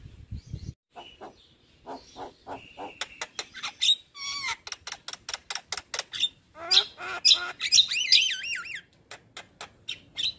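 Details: White-eyed Javan myna singing in a recording meant to stir lazy birds into song: a long, busy series of sharp clicks and chattering notes about twice a second, mixed with wavering whistles, a downward slide and harsh squawks.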